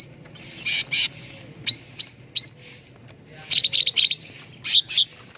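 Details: Cucak ranting bulbul song, used as a lure and master recording for training birds to sing: bright rising whistled notes with hooked upswept tips, a quick run of buzzy chirps, then twittering notes, in quiet surroundings.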